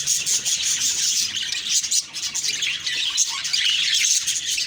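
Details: Morning budgie chatter: many overlapping high twittering chirps and short whistled notes forming a steady busy flock chorus.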